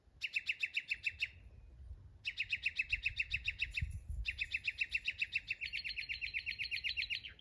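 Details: Mockingbird delivering rapid rattling trills of repeated chirps, broken by short pauses, with the final trill rising slightly in pitch; a faint thin high whistle overlaps in the middle.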